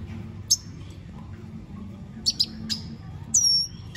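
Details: Singing red siskin giving isolated high metallic chips, then a quick cluster of notes and a drawn-out, high, thin whistle, over a faint low hum.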